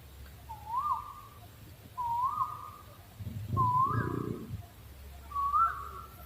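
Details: Owl calling with four sliding whistles that swoop upward, then level off, spaced about every one and a half seconds, with a muffled low rumble under the third note.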